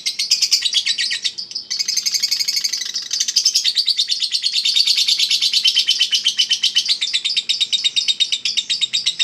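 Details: Caged Eagle Head lovebird from a contest line in extended ngekek: high rattling chatter, a short pause near second two, then over six seconds of dense, steady trilling.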